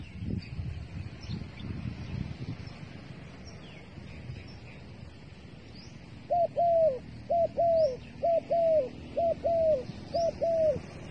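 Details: Dove used as bait, calling after a quiet start: from about six seconds, clear paired coos, a short note then a longer falling one, repeated roughly once a second, with faint high chirps from other birds behind.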